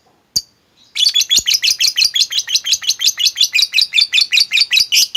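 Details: Lovebird ngekek, meant to set a reluctant lovebird singing: one sharp click, then a sustained rapid chatter of harsh high chirps, nearly three per second, running without a break.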